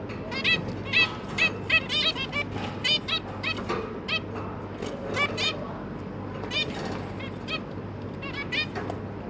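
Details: Feeding time for a zebra finch pair and their three juvenile babies, 1 October 2022: busy clusters of nasal, honk-like beeps, thinning in the middle then picking up again, over a steady low hum.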